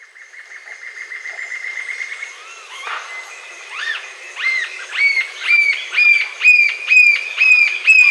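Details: Green-tailed jacamar song: a thin, steady high whistle that gives way to a series of clear, upslurred piping notes. The notes repeat roughly twice a second and grow louder and slightly higher toward the end.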